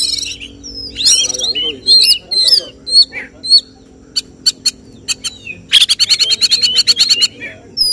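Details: Oriental magpie-robin in competition singing 'tembakan': hooked whistles and harsh notes, a pause of sharp isolated clicks, then a fast, steady rattling trill of repeated high notes for nearly two seconds.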